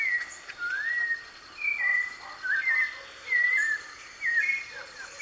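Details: White-necked thrush singing freely in nature, recorded live: mellow whistled phrases, one swooping upward, others short and slurred, coming in bursts about once a second over light hiss.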